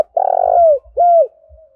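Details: Spotted dove giving the urging coo and song used to lure wild doves and set a decoy bird cooing: a long, buzzy, level coo sliding down at its end, then a shorter clear falling coo, in quiet surroundings.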